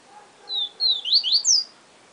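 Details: Yellow-bellied seedeater song in the 'siu siu professor' style, a short phrase of long whistled notes followed by quick slurred upward and downward whistles.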